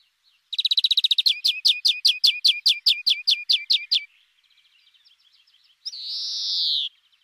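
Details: Singing European greenfinch: a fast, even trill of about fifteen ringing notes over three seconds, a short pause, then a long nasal buzzing wheeze of nearly a second. Quiet surroundings.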